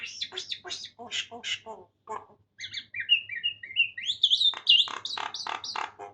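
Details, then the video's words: Common myna imitating Farsi speech: a run of rapid, harsh, speech-like syllables, a pause, then a series of clear whistled notes rising into high squeaky chirps, followed by quick repeated chattering bursts over a faint low hum. "Maina Khanum speaks Farsi very well and completely"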